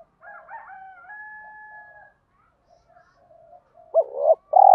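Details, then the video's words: Spotted dove used as a lure, giọng thổ voice meant to spur fighting: a steady whistled tone and soft chatter from other birds first, then a short double coo and the start of a long loud coo. "chim cu gáy giọng thổ pha thúc đấu rút bổi nhanh về"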